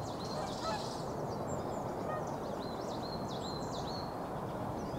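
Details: A flock of swans during spring migration calls continuously, with overlapping bugling honks that dip and curl at the ends. Constant broadband rumble, like wind or water, sits beneath them.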